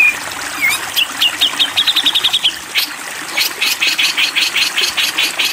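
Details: A Grey-cheeked bulbul (Alophoixus bres) gives a 'konslet' song: a rapid chattering burst of quick, even, mid-high notes, then a looser run of buzzy repeated chips with pauses, over a soft trickle of water.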